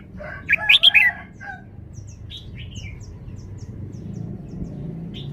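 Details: Caged red-whiskered bulbul showing its song phrasing. It opens with a rapid, loud cluster of warbled whistles, then thin, faint high chips and a few soft notes follow over a steady low rumble.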